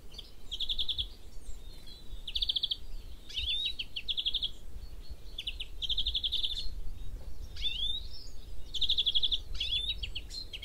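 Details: European Greenfinch singing from garden bushes in stormy weather: bursts of fast, pulsating trills at about two-second intervals, mixed with rising wheezy notes, over low background rumble.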